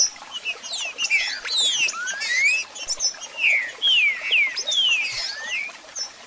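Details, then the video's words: A Green-winged Saltator sings bright whistled notes that sweep up and down and tumble quickly over one another, with sharp chirps at about two phrases a second. It is used as a song to motivate a kept saltator. "Canto e Piados Para Levantar a Fibra do Seu Trinca Ferro"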